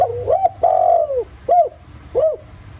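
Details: Spotted dove cooing as a lure for other doves, 'giọng thổ' voice, rural setting: a short rising note, a long bowed coo, and two clipped end notes spaced about half a second apart, clean background.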